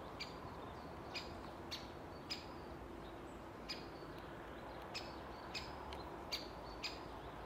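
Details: Great spotted woodpecker (Dendrocopos major) at Orlov Vrh, Ljubljana, 11 April 2023, giving sharp single 'kik' calls at irregular intervals, roughly one or two a second, over a steady low background hum.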